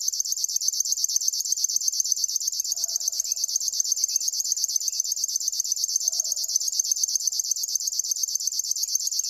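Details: Unbroken reel from a river warbler, sharp buzzy pulses repeated about ten times a second at a steady pace, insect-like and mechanical, with faint low sounds behind.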